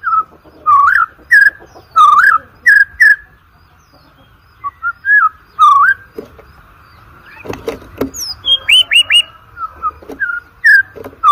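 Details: Singing white-rumped shama, used as a lure recording for training competition birds: a series of short looping whistles with pauses between, then harsher clicks and a quick sequence of rising upslurred notes and more whistles.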